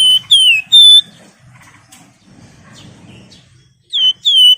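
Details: Energetic Javan fulvetta song meant to call rivals and serve as a lure: pure descending whistles in a short burst, a quiet gap with faint low rustling, then two more whistles at the end.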